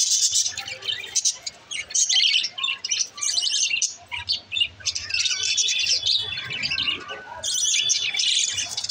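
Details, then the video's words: Pet green lovebirds in a burst of shrill chatter: rapid, scratchy chirps and squeaks coming in dense bouts of one to two seconds, separated by brief quieter gaps, with several birds calling over one another. "green love birds sunds"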